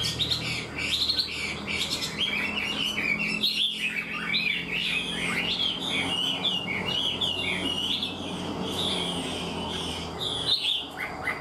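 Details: Chinese hwamei with a wood-coloured bill, singing like a tame bird, a rich, continuous run of loud, varied whistles and warbled phrases, rising and falling rapidly, with a low hum behind.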